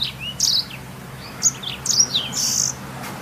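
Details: Short burst of black-throated canary song used as lure or master for canaries: high buzzy notes and quick rising and falling whistles in clustered bursts, over faint background hum.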